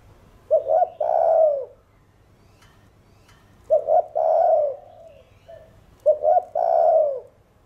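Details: Spotted dove cooing in the Thổ Đồng voice to stimulate other birds: three mellow phrases about three seconds apart, each a quick double stutter followed by a long swelling, falling coo.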